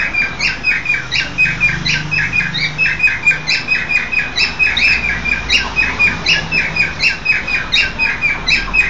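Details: Male pied cockatiel (once sold as female) courts a new lutino cockatiel whose sex is uncertain, whistling short bright chirps in a rapid, uneven stream.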